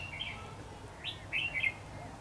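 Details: Trapping session with a decoy red-whiskered bulbul calling wild birds toward the trap, 22 February 2016. A soft opening note, then an upswept whistle and a bright burst of rapid warbled notes near the end, against faint low noise.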